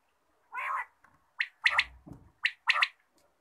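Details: Quail in the morning giving one hoarse nasal note, then crisp whistled triplet-like phrases, with a brief low rumble between them.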